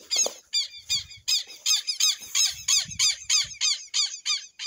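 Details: Southern lapwing (quero-quero) from the Amazon giving a rapid, steady run of grating, scratchy notes, about three per second, sustained without a break and with faint low knocking sounds beneath.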